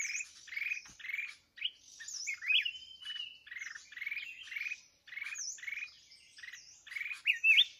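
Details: Red-whiskered bulbul during trapping with a decoy bird: a rapid series of harsh, buzzy, rasping notes about twice a second, mixed with thin slurred whistles and high squeaks.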